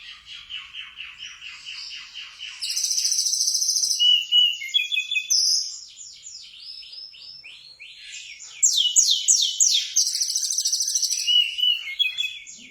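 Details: Mountain tledekan song filled with sikatan londo imitations, meant as a master recording for training cage birds; rapid high trills, buzzy rattles and clear whistled notes alternate in dense, loud bursts.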